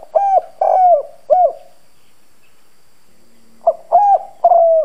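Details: Decoy spotted dove with a hoarse, firm 'đồng' style voice, cooing to provoke wild doves. A low four-note coo phrase with hoarse, rolling middle notes, a pause of about two seconds, then the phrase begins again.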